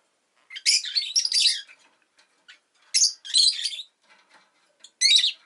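A rosy-faced lovebird gives three bursts of shrill, scratchy chirps high in pitch, each about half a second to a second long, with quiet gaps between.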